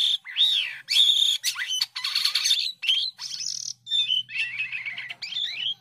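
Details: White-headed starling in full song: varied, winding phrases mixing harsh buzzy notes with looping, rising and falling whistles, delivered in short bursts with brief pauses.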